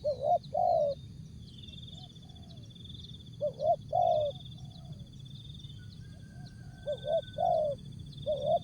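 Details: Spotted dove song in the jergot, tapau and bungkus styles, short jergot: three phrases of soft two-part coos, a rising note then a longer falling coo, with a steady high insect-like buzz and low rumbling noise behind.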